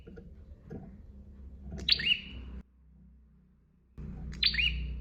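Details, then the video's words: Bar-winged prinia, master recording: two sharp chirps falling from high to lower pitch, separated by a short near-silent pause, over low rumbling background noise. "KICAUAN SUARA PRENJAK GACOR DOR"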